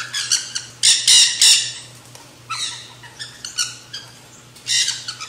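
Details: Black-hooded Nanday conures (parakeets) in a feeding frenzy on seed mix at a backyard feeder give harsh, raspy squawks in irregular bursts, some clipped, others drawn out, over a faint hum.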